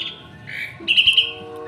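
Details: Asian pied starling kept as a guard bird in a home yard, loud at dawn; a drawn-out whistle followed by a run of bright, rapidly repeated whistled notes, with soft music underneath.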